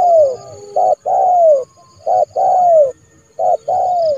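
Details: A spotted dove kept as a trained decoy calls a rival dove into the yard to be trapped. Clear, mellow coos alternate between brief clipped notes and drawn-out falling coos, repeated about every second.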